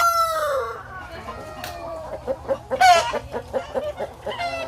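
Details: Chickens in a henhouse on a poultry farm, clucking and cackling: a drawn-out falling cry opens, then a run of short harmonic clucks with a loud squawk near the middle and more calls at the end.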